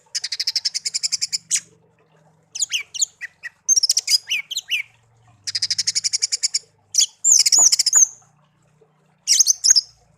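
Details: Tame hand-raised songbird, kept for one year, pours out rapid buzzy rattling trills separated by short twittered phrases and sharp high whistles.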